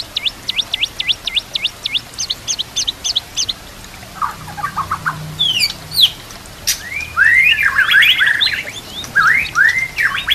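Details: Shama song used as a training recording, with kapas tembak and canary phrases: a fast series of repeated high V-shaped notes, then a lower chattering phrase and swooping, looping whistles.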